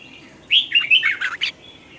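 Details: Morning song of a red-whiskered bulbul, meant as a training lure in the taut double-note style: a single rapid warbled phrase of about a second, bright slurred notes rising and falling.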